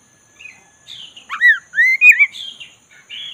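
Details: Oriental magpie-robin, black-breasted type, singing a relaxed rolling phrase meant to lure a reluctant bird into song: soft buzzy notes building into loud looping whistles that rise and fall, then fading warbles, over a steady faint high whine.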